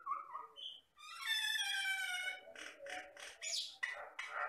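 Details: Batam myna from the Riau Islands lowlands, a mimic of many sounds, delivering a long nasal, rising-falling whistle with stacked tones, followed by a string of short harsh chattering notes and a squeaky high phrase.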